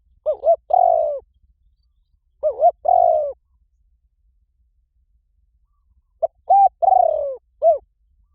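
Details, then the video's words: Cooing of a spotted dove, played to get weak decoy doves calling fast: three phrases at intervals of about two and three seconds, each a wavering double hoot flowing into a long, falling, trilled coo. "Tiếng chim cu gáy gọi dùng kích bổi yếu nhanh nổi"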